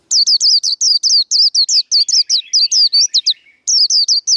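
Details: Caged Japanese white-eye giving a fighting song for training other birds: an almost unbroken stream of loud, high, downward-swooping whistled notes, briefly interrupted by softer lower twittering before the rapid notes resume.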